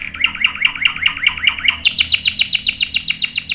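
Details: Canary in full song with long rolls, for luring and tutoring young birds: looping chirps repeated about four times a second, then a quicker, higher series of sharp descending notes.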